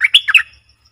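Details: Streak-eared Bulbul, recorded 20 March 2022. A rapid, cheerful burst of four warbled notes, the second highest, is followed by near silence.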